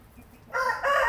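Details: Padovana (Paduana) rooster, an Italian chicken breed, recorded 15 March 2026, crowing: a loud, harmonic, hoarse crow starts after half a second of quiet and breaks into two strong segments.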